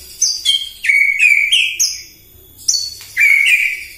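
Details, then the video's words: Morning song of a white-rumped shama used as a provoking lure: clear whistled phrases that drop and then rise, each introduced by a quick high note, in two loud bursts separated by a short pause. "PAGI-PAGI MURAI AUTO EMOSI MENDENGAR PANCINGAN INI❗ GACOR FULL❗❗"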